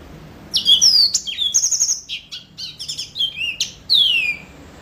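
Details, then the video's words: A yellow-fronted canary delivering a varied phrase: a falling whistle, a flat sustained note, a run of rapid stuttering chirps, then a long descending slurred whistle. "Mozambik Gacor Full"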